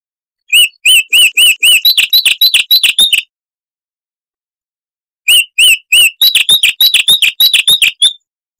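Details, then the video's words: Chestnut-vented warbler (Sylvia subcaerulea), a bird of South African shrubland and dry riverbeds, singing clear and loud for its size: two rapid bursts of crisp, chirpy whistled notes, about three seconds each, separated by a silent pause. "Masteran Burung Luar Negeri Suara Asli Kristal HD - Chestnut-vented Warbler (Sylvia Subcaerulea)"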